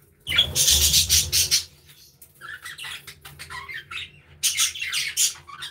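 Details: Budgerigars in an aviary, busy scratchy warbling bursts mixed with sharp squeaks and short whistled notes, with low rumbling in the background.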